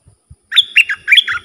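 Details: Bulbul song of the ดอกแตง type, meant for teaching hand-reared and wild-caught young birds. One fast phrase of about five bright, slurred whistles dropping in pitch, with soft low knocks before it.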